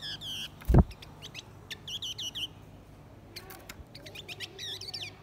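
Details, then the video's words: Singing blue-winged minla, male and female, using lure song to provoke wild birds: short bursts of quick twittering high notes in separate clusters, with one dull thump near the start. "Chim khướu lùn cánh xanh hót mồi kích bổi trống mái"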